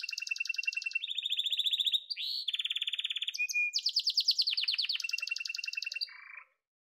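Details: Yellow domestic canary singing continuous rolling tours at shifting pitches, buzzy low rattles and bright high trills, ending with a short lower roll.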